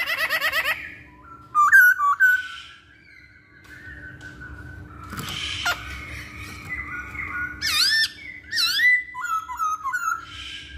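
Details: Masked laughingthrush singing as a lure to draw song from other birds, mixing squawky bursts, short whistled slurs and harsh rasping notes with quiet gaps between; constant faint hum in the background.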